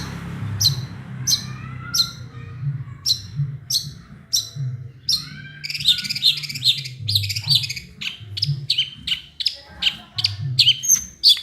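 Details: Long-tailed shrike performing a song full of small-bird imitations: a run of evenly spaced sharp chips with a faint rising whistle, breaking into a dense, fast, jumbled medley of high twittering notes; a low hum underneath.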